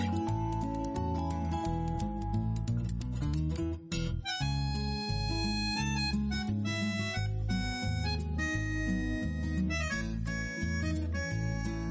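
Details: Instrumental music plays throughout, with a harmonica-like melody over guitar and a steady bass line, and no animal calls are heard.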